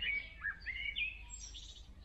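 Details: Great tit young in a nest box being fed, box just above the ground, evening: thin whistled chirps near the start, then a soft, airy high hiss later, with faint low background rumble.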